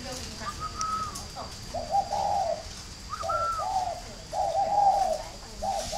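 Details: Farm-kept spotted dove in Ba Vì, Hanoi, northern Vietnam, raised as a fine caller: repeated phrases of a higher smooth note followed by low, rough, throaty coos, about three phrases in six seconds, with light background hiss.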